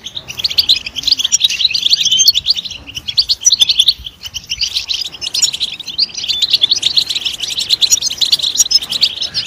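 A European goldfinch sings a loud, fast, tinkling twitter of high, liquid notes and buzzy trills, pausing briefly midway before resuming.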